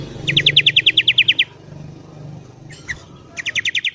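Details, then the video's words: Morning song of a sooty-headed bulbul, in a recording used to lure wild birds: a quick, even series of about thirteen sharp, high repeated notes, a pause with a faint low hum, then another rapid run of similar notes. "BURUNG KUTILANG GACOR DI PAGI HARI"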